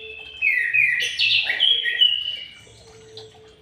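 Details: White-rumped shama in an aviary singing a loud, varied phrase of bright whistles that rise and fall, with some notes jumping higher, then fading to quieter notes. A low steady hum runs underneath.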